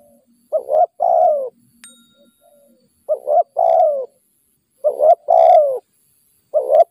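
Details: Wild spotted dove, caught during decoy trapping and described as aggressive toward a decoy bird, gives mellow cooing phrases: a short, doubled coo then a longer, slightly falling coo, repeated roughly every two seconds with short silent gaps.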